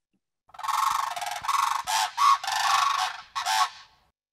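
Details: Blue Crane giving harsh, rattling croaks in quick bursts, about seven over three and a half seconds, described as a guard call shifting into a unison call, with two voices audible near the end.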